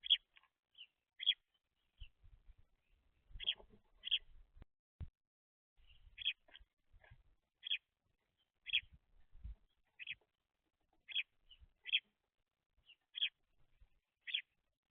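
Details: Baby house sparrows at a seed feeder, messy eaters that kick seed out, chirping steadily: sharp single chirps roughly every second, with soft tapping and knocking noises from below throughout.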